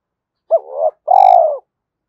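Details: Single spotted dove lure phrase: a quick rising-falling hooked note sliding into a wavering coo, a short pause, then a long, rough, pulsing coo that fades downward.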